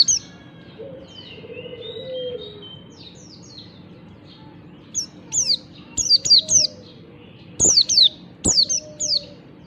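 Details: Morning ngalas song of a yellow-breasted kecial Oriental white-eye, used to spur reluctant white-eyes into song: soft high twitters at first, then loud bursts of rapid, piercing descending notes in pairs and triplets.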